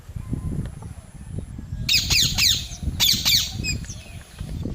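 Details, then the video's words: Perched parrots, three sitting on branches and calling, give a quick series of harsh, scratchy squawks in two tight bursts over a steady low background rumble. "Parrot bird sweet call"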